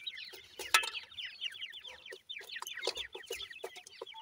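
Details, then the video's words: Feeding Sindhi grey francolin chicks: a continuous twittering of high, falling chirps from several birds, thickly overlapping, punctuated by sharp pecking-like clicks. "sindhi gora teetar kay chicks feeding"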